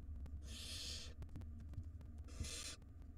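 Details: ['Wild barn owl nestlings in a nest box, fed by their mother; two rasping, noisy hisses about two seconds apart, each under a second long, against low background hum and ticking.']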